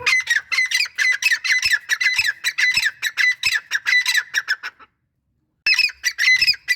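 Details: Male grey francolin calling alongside a female: a fast, dense run of harsh, squawking notes repeated in quick bursts, breaking off briefly near the end before the rasping series resumes.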